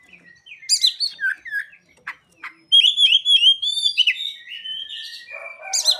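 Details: Oriental magpie-robin delivering song with ciblek and sogon imitations: scattered chips and short slurred notes, then a loud sequence of rapid rising whistles and a closing buzzy, raspy burst.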